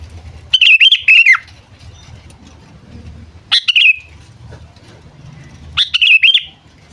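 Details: Sooty-headed bulbul kept as a decoy to lure wild birds, calling: three bursts of bright, warbled, chattering notes about every 2.5 seconds, each sliding downward, over a low background rumble.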